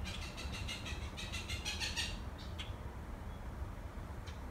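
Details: Blue jay calling in Monroe, as if trying to tell something: a quick run of harsh, buzzy repeated notes over the first two seconds, then a few scattered notes, over a steady low rumble.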